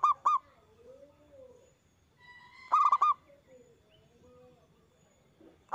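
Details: Loud local zebra dove song meant to stimulate other doves to sing: short cooing notes, a full rolling four-note phrase in the middle, then another beginning, with soft whistles from other birds between.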